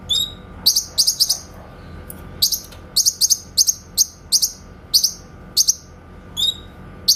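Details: Master recording of grey-cheeked bulbul 'tembakan' (shot) song, made for training white-rumped shamas: a quick string of about fifteen short, sharp, high chips and buzzy notes, often paired, evenly spaced over seven seconds.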